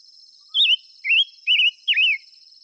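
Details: Five-coloured bird in song and calling: four bright warbled whistles with rapid up-down wavers, delivered in quick succession over a continuous high thin hiss.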